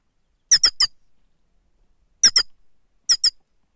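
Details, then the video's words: Grey-crowned goldfinch used as a lure, labelled 'sava', giving sharp, squeaky double and triple call notes, repeated three times with pauses of about a second, in an otherwise quiet setting. "седоголовие щегол сава"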